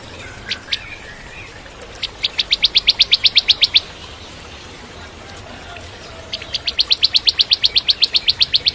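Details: Bar-winged prinia song used to train white-rumped shamas: two bouts of fast, evenly spaced sharp high notes, about four a second, rolling steadily before stopping.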